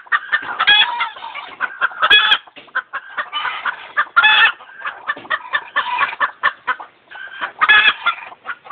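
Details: Chickens clucking and screeching, a dense overlapping run of short clucks broken by several louder, drawn-out harsh squawks every second or two, suggesting more than one bird calling at once.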